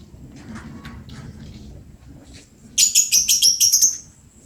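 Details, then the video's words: Lovebird in full song: after soft faint chirps, a loud rapid series of about nine piercing, shrill chattering notes in quick succession lasting over a second. "Burung Lovebird gacor bangat"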